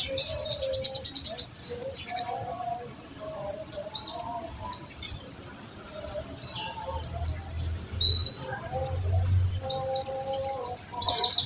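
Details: Olive-backed sunbird song used as a lure to stimulate other birds: very high, thin trills and sharp chirps in rapid bursts, with lower whistled notes from other birds mixed in.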